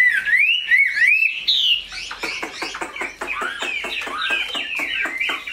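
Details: A tame, large Chinese hwamei prized for its voice opens with slow, rising whistled notes, then shifts into a busy stream of short warbles broken by sharp clicking taps.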